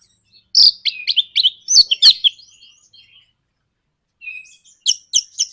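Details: Orange-headed thrush giving a 'nraktak konslet' lure song meant to goad other birds into song: rapid scratchy chattering notes with sharp clicks, a short gap, then a thin whistle leading into high squeaky twitters.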